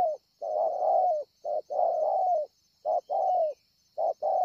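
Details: Wild spotted dove calling at Ngọc Hồi, Vietnam, 25 March 2020, with long mellow coos alternating with quick short notes in uneven pairs, the longer notes sagging at the end; a steady thin hum runs underneath.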